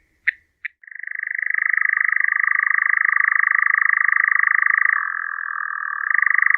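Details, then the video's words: European nightjar churring: two short clipped notes, then a long, unbroken mechanical trill that runs steadily for several seconds and shifts slightly lower before rising back to its first pitch. No other sounds. "Козодой. 1 часть Евразия. Голоса птиц"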